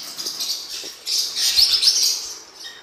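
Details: Blue-winged parrotlet, recorded for song training: softer, blurred high twittering that swells into a continuous squeaky warble, then fades.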